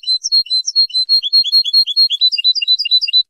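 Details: European goldfinch song recorded for tutoring birds, in 2023: a continuous, fast, high twitter of bright, tinkling notes and short chirps, about two per second, with no other sounds.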